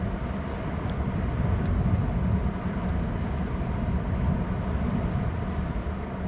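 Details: Heavy low rumble of wind or distant engine noise runs throughout, with no calls heard.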